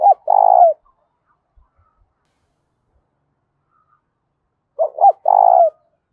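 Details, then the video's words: Two resounding spotted dove fighting coos about five seconds apart, each two quick curved notes ending in a long, steady, slightly falling coo, with near silence between. "Tiếng chim cu gáy thúc bổi rất to và vang/ cu gáy thúc đấu"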